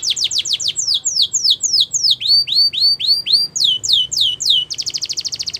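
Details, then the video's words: Champion canary training song built from tours: quick falling whistles, a run of rising slurred notes, more downslurs, then a fast buzzy rolling trill at the close. "Canary Training Champion Song"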